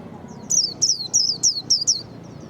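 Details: Japanese white-eye, described as quick to sing, giving six high, thin whistled notes that each slur downward, spaced about a third of a second apart in a lively run.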